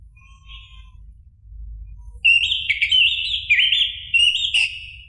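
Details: Song of an orange-headed thrush played to spur a caged bird to sing: a faint opening note, then a loud run of slurred, warbling whistles with quick upward flicks, over low background hum.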